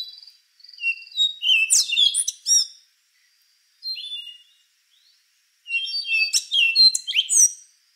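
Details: Two rich bursts of rufous-brown solitaire song, each a quick jumble of high squeaky, swooping and clicking notes, separated by a short slurred phrase and pauses of near silence.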